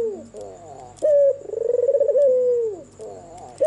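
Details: White red-eyed albino Barbary dove cooing at night: a short sharp note, then a rolling, pulsed coo that slides into a long, smooth, falling coo, with soft rising purrs between phrases. A faint steady high whine sits behind.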